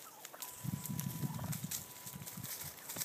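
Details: Wild turkey males contesting dominance on California's central coast produce a packed run of low, rapid throbbing pulses that fades into sparser beats, with a faint steady tone behind.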